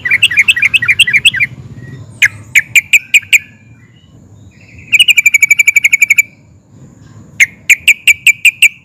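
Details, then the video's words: Yellow-vented bulbul (trucukan) in agitated 'ngeplik' and 'ngerol' song that sets other bulbuls answering: a bubbly warbled phrase, spaced crisp chips, a fast dense roll of notes, then more evenly spaced chips. "Kicau Trucukan Gacor Emosi NGUPLIK DAN NGEROL, bikin SEMUA JENIS TRUCUK YANG DENGAR AUTO NYAUT GACOR"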